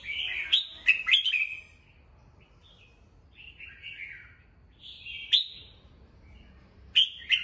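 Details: Red-whiskered bulbul kept as a cage bird, singing in the morning for voice training: a quick run of clear whistled notes, then softer slurred phrases and a rising whistle with sharp clicks, separated by short gaps.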